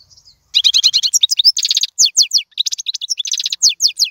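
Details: Song of a European goldfinch intended for teaching young birds. A faint note opens, then bright rapid chirps and tinkling trills tumble on quickly, with a buzzy nasal phrase in the middle.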